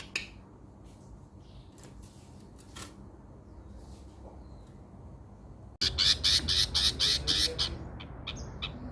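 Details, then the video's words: Long-tailed shrike training material, meant to restart a shrike that has gone quiet: near silence with faint ticks, then a sudden loud run of scratchy, rasping notes in rapid rhythm lasting about two seconds. "mastran burung cendet yang mandek di jamin bunyi lagih"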